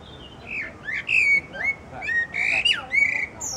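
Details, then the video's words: A thrush perched on a branch sings a varied phrase of fluty whistles mixed with harsher, squeaky and slurred notes, rising and falling in short bursts, with soft background noise. "Singing thrush on a branch"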